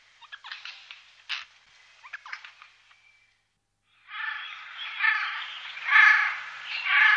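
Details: Eurasian jay, Wittlicher Tal, 2018: soft scattered clicks and short rasps first, then after a brief silence a sustained, swelling hoarse screeching.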